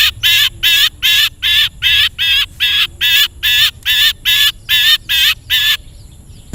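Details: Long-tailed shrike in a recording made to train caged birds to sing: a loud series of harsh, rasping, broadband notes, about fourteen in six seconds, delivered at a steady quick rhythm with short silent gaps between them.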